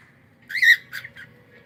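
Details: Pet cockatiel giving a single loud rasping whistled squawk followed by two shorter softer chirps.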